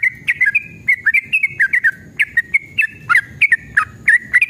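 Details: Yellow-vented bulbul giving a lively, emotional ropel, played to provoke caged birds into singing. Quick clusters of chirpy, liquid whistled notes tumble out in short bursts with tiny pauses between them.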